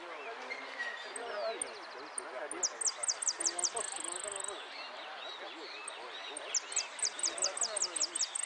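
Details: Caged Amarillo (saffron finch) singing in the repique style at a singing competition in Lanús, Argentina: high, sharp notes repeated in quick runs of about eight, with a short steady buzz, over constant crowd chatter.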